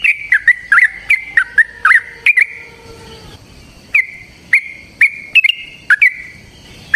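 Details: Yellow-vented bulbul long fighting song as a singing lure; a rapid burst of sharp whistled notes, a short quieter gap with faint lower tones, then more bright, clipped notes at an even pace.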